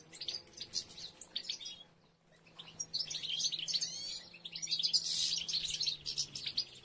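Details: European goldfinches as females gather nest material, three nests counted; rapid high twittering chorus, briefly pausing, then a loud, busy burst of jingling trills and chirps.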